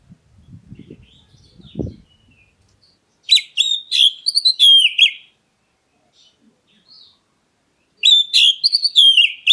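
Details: Black-breasted oriental magpie-robin calling to provoke other birds into answering: after low rumbling noise, two bursts of loud, varied whistled phrases with sharp high notes and sweeping slurs, separated by a short quiet gap.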